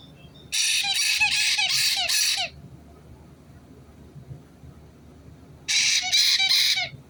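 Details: White-bellied caique parrot, recorded 6 April 2022: two bursts of shrill, rasping screeches, five rapid harsh notes then a pause of about three seconds, then three more, each note noisy and broad with a low clicking undertone.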